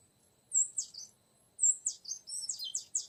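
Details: Oriental magpie-robin used to lure a young wild male: two short phrases of high, clear whistles with slurred, falling notes, separated by a brief silence.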